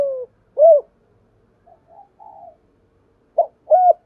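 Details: Fragments of spotted dove cooing, in the 'thổ pha đồng' style for luring wild doves: the tail of a falling coo and an arched coo, faint murmurs, then a clipped note and another arched coo.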